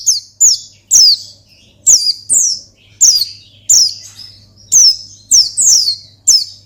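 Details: A white-eye known locally as pleci sings a rival-provoking ngalas song: a steady string of loud, high, downward-swept chirps, roughly two per second, occasionally paired, with faint hum beneath.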